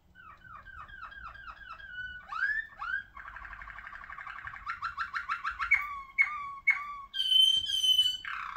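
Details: Ringed Malinois Waterslager song canary in full song: descending whistled notes, a swoop, a long bubbling water-like roll, pulsed notes, sharp chirps, and a high sustained whistled tone at the close.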